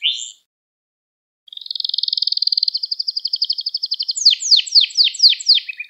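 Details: Canary song prepared as a lesson for young canaries: a brief high note, a pause, then a fast buzzy trill of repeated notes followed by loud descending sweeps repeated about four times a second.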